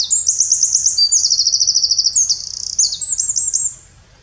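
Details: Eurasian wren in the Eifel, Germany, delivering a loud, very high song: rapid repeated notes, then a fast rattling trill, then a quicker buzzy trill and a final burst of sharp twitters, ending abruptly.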